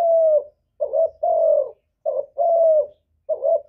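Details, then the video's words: Spotted dove cooing to provoke other doves into cooing back: low, hollow coos in a short-then-long paired rhythm, three phrases in under four seconds, steady pitch, against a silent background. "Chim Cu Gáy Kích Nổi Cực Phê, Nghe là gáy theo liền"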